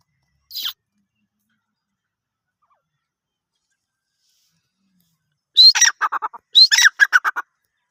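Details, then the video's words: Grey francolin (dakni/bhory teetar) giving two loud bursts of harsh, ringing, repeated notes, each a quick run of about half a dozen syllables, after a brief high chip; otherwise quiet. "Dakni teetar ki awaz | Bhory teetar ki awaz | Gary francolin birds | teetar sounds"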